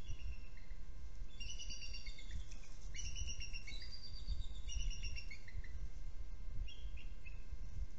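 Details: Bald eagle at a nest cam during a nest changeover, with three eagles in the trio: series of high, thin, descending chirping whistles in quick bursts over steady low background rumble.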